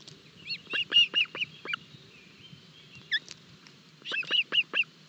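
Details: Osprey chicks at a Barlinek forest nest during early breakfast feeding, 25 June 2022: rapid series of high, piping chirps in two bursts of about five notes each, separated by a quieter pause with a single squeak.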